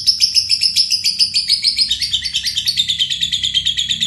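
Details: Fighter lovebird giving its long ngekek trill, used to train other songbirds: a fast, high, buzzy chatter of pulses about twice a second, sliding slightly lower partway through and running unbroken throughout.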